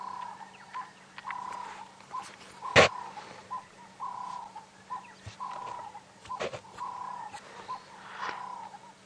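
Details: A ring-necked (Cape turtle) dove gives low, hoarse cooing phrases repeated at a steady pace on a misty early morning around 6 am, 3 April 2017, on a game drive; a sharp knock, faint engine hum and distant birds.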